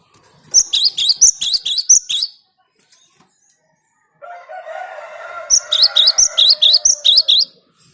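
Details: Cinereous tit song played to lure birds; bright, high two-note phrases repeat in fast series of about eight, in two bursts separated by a short pause, with a noisy rasping passage before the second burst.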